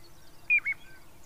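A piping plover gives two clear, soft whistled notes in quick succession, the first slightly higher, over faint background hiss.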